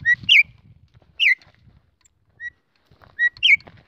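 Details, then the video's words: Female campo troupial calling to excite males: clear whistled notes, some sliding steeply downward in short bursts, others brief flat whistles, spaced irregularly over a few seconds against a quiet background with faint low rumble. "chamado de femea de corrupião esquenta Qualquer macho ?"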